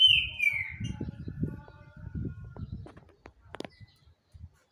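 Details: A single strong downward-sliding whistle from a green-winged saltator opens the moment, followed by faint high ticks and repeated low thumping sounds.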